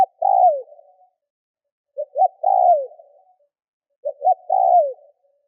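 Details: Spotted dove used as a lure bird to draw in wild doves, cooing three phrases about two seconds apart, each two quick clipped notes followed by a longer sustained coo that falls away at the end, in quiet surroundings.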